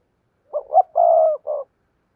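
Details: Spotted dove coo phrase from a decoy bird, two-ending (hai hậu) style, meant to lure wild doves. Four smeared, mellow notes with a long level middle coo, all close together.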